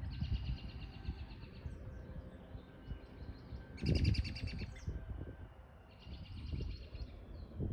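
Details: Male American robin on top of Triangle Mountain, Vancouver Island, BC, giving a whinny call after following a female; three bursts of rapid, chattering high notes, each about a second long, separated by pauses, over steady low rumbling wind noise.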